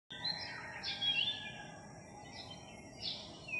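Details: Philippine magpie-robin from a skittish flock newly arrived in a village, singing clear, sweet whistled phrases with a few buzzy, slurred notes high in pitch, over a steady background hiss; July 3, 2021.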